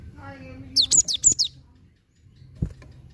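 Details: Cinereous tit singing, used to lure a stubborn bird into song: one quick burst of about five high, sharp, descending whistled notes, preceded by a brief voice-like sound and followed by a soft knock.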